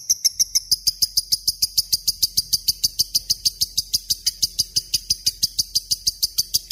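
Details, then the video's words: Lovebird giving a long ngekek, recorded as a tutor for murai and kacer birds: a fast, continuous chattering trill of high, bright notes, over three per second, running evenly throughout without a break. "SUARA BURUNG LOVEBRID GACOR NGEKEK PANJANG"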